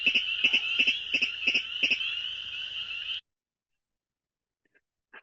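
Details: Virginia Rail giving its ticket call, recorded fairly close to the bird: a fast, steady series of sharp, high paired notes, about three per second, for three seconds, then near silence.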